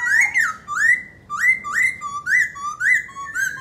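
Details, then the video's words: ['Black laughingthrush singing as it dances, delivering about eight loud upslurred whistles with level tails, regularly spaced around twice per second, some notes lower and shorter.'] "Khướu mun hót múa đỉnh"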